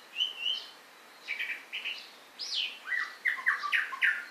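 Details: White-rumped shama singing loud, varied phrases: clear whistled notes, some rising sharply, others flat and clipped, delivered in quick bursts after a short pause, over a quiet background.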